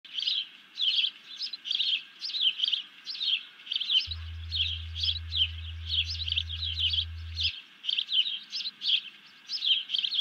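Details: Bald eagle alerting after grabbing a fish, 31 July 2020, while a second eagle drops low; a steady run of high, piping chirps repeating several times a second for ten seconds over a faint low hum.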